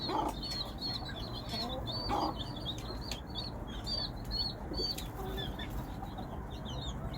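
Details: Hen calling her chicks amid steady high peeping from many chicks, with low clucks at the start and around two seconds, then quieter peeps over a rumbling low background.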